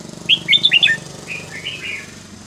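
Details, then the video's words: Red-whiskered bulbul song with sweet, varied phrasing used to teach young birds: a rapid cluster of bright, bouncing whistled notes, then a softer, slurred trailing phrase, over low background rumble. "นกกรงหัวจุกสำนวนเพราะๆ ร้อง เพลงไม่ซ้ำกัน"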